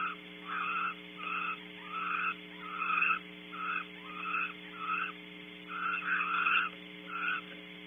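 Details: Barn owls nuzzling and bonding on a branch at Audubon Starr Ranch, California: short raspy bursts repeated at irregular intervals of about a second, over a constant low electrical hum.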